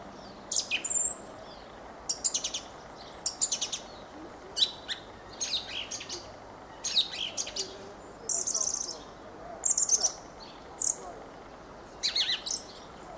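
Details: Fieldfare in steady song: scratchy, squeaky chattering phrases repeated about every second over thirteen seconds, each a jumble of harsh clicks and high wheezy notes.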